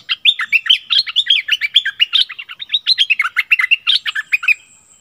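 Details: A decoy Streak-eared bulbul sings an energetic stream of tumbling, chattering notes for about four and a half seconds, then stops abruptly into quiet.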